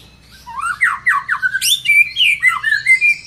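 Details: Excited White-rumped Shama, triggered by a lure recording, pours out its repertoire: rapid, loud slurred whistles, many sweeping downward, roughly four a second, with a bright high flourish midway.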